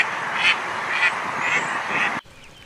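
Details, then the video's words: Four rasping quacks from a duckling in a pond, spaced roughly half a second apart, ending in an abrupt cut to quiet. "Duck sound - duckling in the pond - duck quack"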